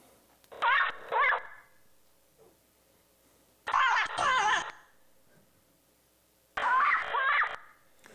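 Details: Yellow-naped Amazon contact calls from a site resurveyed in 2005, showing stable regional dialects over 11 years: three harsh, raspy squawks, each a rolling two-part phrase, about three seconds apart in a quiet setting.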